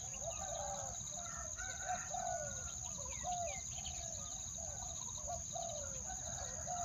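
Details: {'caption': 'Decoy spotted dove calling wild doves with a two-note call: low, hoarse coos repeated about every second, each curving downward. Scattered small-bird chirps and a constant shrill insect drone run underneath.'}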